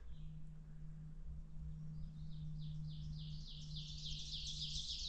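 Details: Black-and-white warbler (Mniotilta varia) singing right overhead on a clear, calm spring morning, 12 May 2026, around 8–10:30 AM after a frost, 3–12°C, on a farm forest walk: thin, very high squeaky paired notes, about eight pairs, growing louder, over a low hum.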